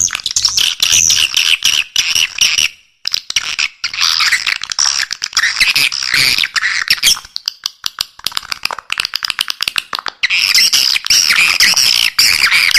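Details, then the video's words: Long stretch of swiftlet attraction call: nonstop shrill twittering and squeaky chatter over fast clicking, pausing once briefly. "Suara Walet Paling MAHAL, Suara Panggil"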